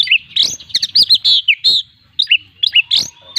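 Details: Kacer, the Oriental magpie-robin, singing loudly in 'gacor full isian' style: rapid clusters of rich, bright whistles and quick downslurred notes pour out without a break, then a brief gap and a fresh volley of sharp notes.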